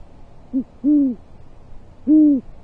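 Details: Great horned owls at a nest 40 feet up in Corona, California, USA, midday 14 January 2023, during a prey handover; a short low note, then two clear, deep, drawn-out hoots about a second apart in a quiet setting.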